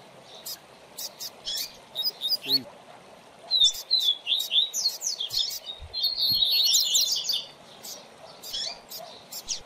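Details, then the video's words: Caged seedeater (coleiro or papa-capim) singing during song training of a young bird: bursts of rapid, high twittering and sliding notes, scattered at first, then a dense buzzy run near the end, with sharp clicks and low background noise. "Manejo de Fibra do Seu Coleiro ou Papacapim"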